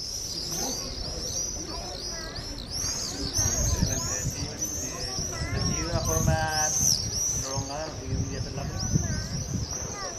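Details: Common swifts flying acrobatically near their nests in the walls of an old cathedral give shrill, thin screams, many overlapping in quick bursts, over a steady low rumble of background noise and possible voices.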